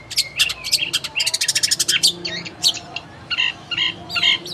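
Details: Long-tailed shrike song used as tutoring material for training a kept bird to sing vigorously: rapid bursts of sharp, high chattering notes, then varied whistled and buzzy phrases with short pauses.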